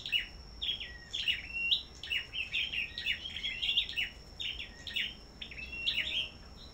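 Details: Caged Black-throated Bushtits at a bird farm, singing in competition: a busy stream of high, thin chirps and short whistled notes overlapping, with several birds calling at once.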